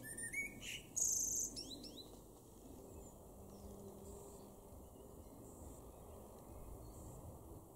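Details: Eurasian blue tit in a garden in Weener, East Frisia, far northwest Germany, May 2021; a burst of short, thin, high chirps and a bright squeak in the first two seconds, then only steady low background rumble.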